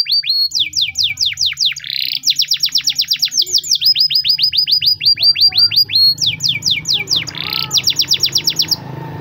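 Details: Spanish Timbrado canary training song with alternating phrases: runs of sharp descending metallic notes broken by brief buzzy bursts, repeated in bouts, over a low background rumble.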